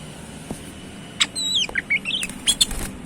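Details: Tame, eagerly singing White-rumped shama delivering a brief run of clear whistled notes, some sliding downward, others short and high, mixed with sharp clicks and fluttering wing sounds.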